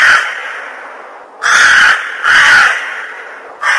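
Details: Long, raspy crow caws, each lasting about half a second, repeated at uneven intervals with a constant background hiss; the calls sound coarse and nasal.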